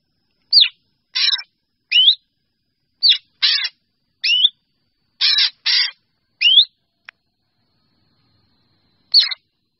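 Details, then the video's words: Black drongo calling to gather its flock. Sliding whistles alternate with harsh, broadband chattering notes in an irregular series. After a faint click comes a pause of almost three seconds, then one last whistled note. "Tiếng Chèo Bẻo kêu gọi bầy"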